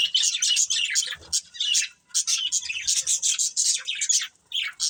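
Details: Budgerigars from a breeding pair chattering in high, buzzy chirps and squeaky warbles, delivered in runs of quick notes separated by brief gaps, with a soft low knock near the first second.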